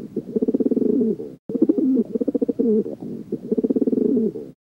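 A pigeon gives low, throaty rolling coos in three bursts of about a second and a half each, with a rapid purring flutter through each phrase.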